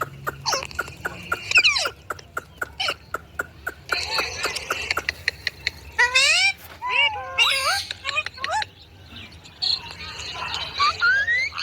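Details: Indian ringneck parakeet talking and making sounds: a run of quick sharp ticks, then bursts of harsh chatter and wavering, bending whistled syllables that rise and fall, with a faint low hum underneath.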